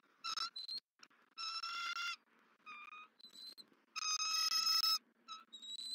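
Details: Returning female bald eagle screeches at the male feeding their chick at a Southwest Florida nest on 31 December 2023; strong, fast strings of shrill harmonic piping notes with short gaps.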